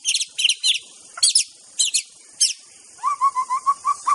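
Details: Wild white-rumped shama singing in the wild: sharp high chipping notes at first, then a run of six rapid clear whistled notes repeated evenly near the end.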